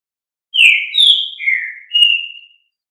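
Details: Green-winged saltator singing its 'Fibra' song: four rich, clear whistled notes over two seconds, sliding gently down in pitch and ending on a long level whistle. No other sounds.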